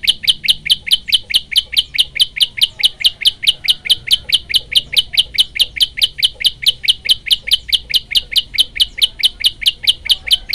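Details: A Yellow-bellied Prinia gives a sharp, high chip about four times a second in one unbroken, very even burst, described as a 40-second single-breath run used as a master recording, with faint background hum.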